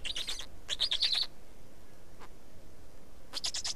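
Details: Black storks feeding at a nest in Estonia, 19 May 2019, 15:43: bursts of high, rapid, wheezy squeaking calls around 0.0–0.5, 0.7–1.3 and 3.3–3.8 seconds, with a low background rumble.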